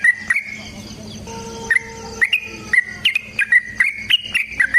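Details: Sooty-headed bulbul's fighting-style long rapid song, meant to prompt an answer: a few notes, a brief pause with a faint steady tone, then a brisk series of sharp, slurred whistles.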